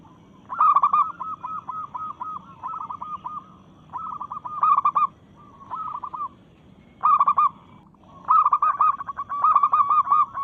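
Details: Zebra dove, local strain, in breeding mood and challenging rivals: repeated phrases of loud rolling coos, each trailing into rhythmic chains of short notes, with brief pauses between the phrases.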